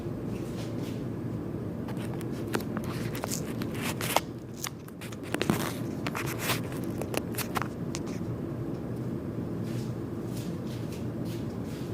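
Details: Indoor crackling, rustling and handling clicks over a low rumble, with no animal calls.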